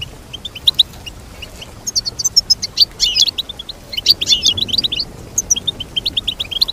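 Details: Goldfinch song alternating quick high chirp runs with tangled, tinkling twitters, lively and continuous over about seven seconds.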